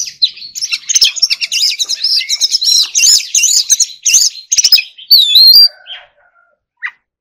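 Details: Oriental magpie-robin in forest-voice training song, a fast rippling run of high chattering trills, then a sharp upward-sweeping whistle and a lone soft note after a pause.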